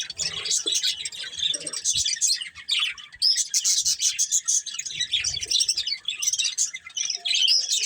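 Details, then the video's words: Budgies of a breeding pair and family give continuous busy high chirping, buzzy warbles and clicks running almost without a break, with occasional soft low knocks. "Cute Budgies Chirping Sounds"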